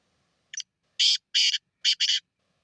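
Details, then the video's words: Black francolin giving one phrase: a brief high introductory note, then three or four loud, harsh, grating bursts in quick succession, the last two nearly joined, on a silent background. "kala tater کالے تیتر کی خوبصورت آواز"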